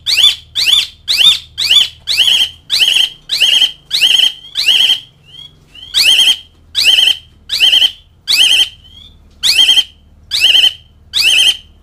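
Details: Asian pied starling giving loud calls toward mates and rivals: rasping, buzzy notes repeated about twice a second in steady series, with a short break midway and a faint low hum.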